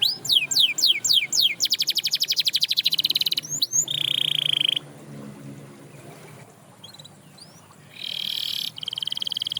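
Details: Singing canary whose song prompts others to join: a few swooping whistles, then a buzzy trill and a sustained tone, a quiet pause with faint background noise, then another steady trilled note.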